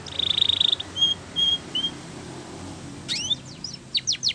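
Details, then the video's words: Spanish Timbrado canary in a canary training song: a fast buzzy trill and spaced flat whistled notes over a soft hissing background, then a burst of sharp, steep sweeping notes near the end. "Your Canary Will Sing Immediately"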